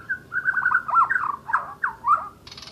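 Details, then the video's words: Energetic Asian brown flycatcher song: a sustained stream of tumbling, warbled, slurred notes with quick downward twists, ending in a short hiss-like rasp. "Burung mure bordan gacor"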